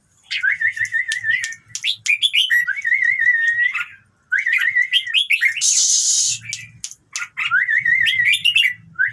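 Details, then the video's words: Red-whiskered bulbul song played to get other birds singing: loud bright whistled phrases with warbling trills near the middle of its range, rising and falling notes, short pauses between phrases, and a brief harsh hissing burst midway. "เสียงนกกรงหัวจุก #เปิดแล้วคึก นกร้องตาม"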